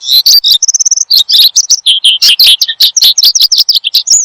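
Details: Lively song of an Oriental skylark, played to lure birds and tutor caged songbirds: rapid, continuous high-pitched chirps and warbles, a short steady whistle near the start, then dense mixed buzzy and sweet notes.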